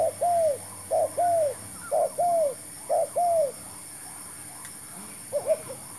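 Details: Spotted dove, a lure bird used in trapping, gives soft, hollow coos in pairs, a short note then a longer arched one, about once a second, over a steady high hiss.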